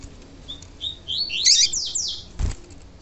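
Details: Pure 'tui tui' song of a male double-collared seedeater, a burst of rapid high slurred notes that swell and fall in quick succession, followed by a single dull knock.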